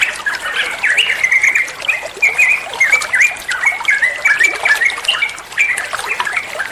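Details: Tutoring song of a trucuan bulbul: continuous bubbly chatter of short chirps and downslurred whistles in quick succession, accompanied by the sound of trickling water.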